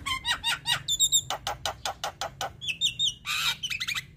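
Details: Male Javan myna in strong song with a long roll: quick mewing whistles, then a fast run of evenly spaced dry clicks, brief whistled notes and a harsh rasping burst, ending in chatter.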